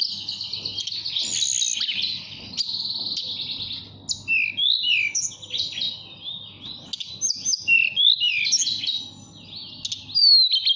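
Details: Mountain tailorbird in a cage, Purworejo, Central Java, singing nyuling to call a female; fast buzzy trills open the phrase, followed by scattered sharp whistled slurs and chips with short pauses between bursts.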